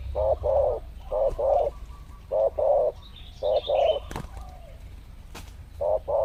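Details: Wild spotted doves lured in what is thought to be mating season, arriving in pairs; low hollow coos in two-note phrases, a short note then a longer one, four phrases over six seconds, with faint higher chirps and clicks.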